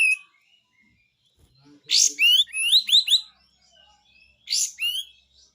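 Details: Pied triller in besetan song: a harsh buzzy burst leading into a rapid run of upward-then-falling sweeping notes, a pause, then another rasp and whistle.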